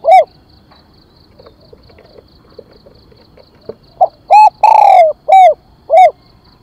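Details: Spotted dove, a decoy bird, calling to lure others: a lone coo, a quiet pause, then four loud, rounded coos including one long falling note, with faint rhythmic high ticking behind.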